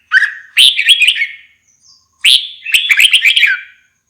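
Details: Red-whiskered bulbul song made of two clear phrases of jaunty, bubbling whistles, each starting with a higher note and tumbling downward, separated by a second of silence.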